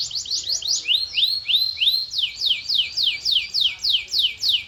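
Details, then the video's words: Domestic canary singing: a fast series of downward-sweeping whistled notes repeated about three times a second, with a run of slower, longer slurred notes in the middle, then the rapid sweeps resume. "The Ultimate Canary Bird Attraction!"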